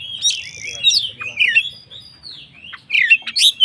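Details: White-rumped shama in strong song used to trigger other shamas: varied loud whistled phrases with quick slurs, broken by short pauses, ending in sharp rising notes.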